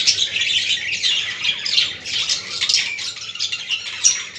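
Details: Budgies chattering to encourage other budgies, a continuous scratchy, rattling warble of rapid high chirps, with a sharper squeak near four seconds, recorded in a small room.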